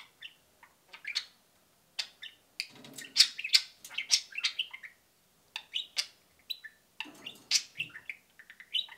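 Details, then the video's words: Two pet budgerigars kept indoors in cages, peeping and cheeping: bursts of bright, high chirps and scratchy tweets in clusters with short pauses, some brief squawky notes, in a quiet small room. "peeping and cheeping"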